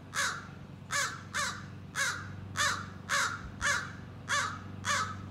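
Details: Rasping caws from a young American crow practising scolding and territorial calls, nine harsh notes spaced roughly every half second, fairly even in loudness, with a soft low hum beneath.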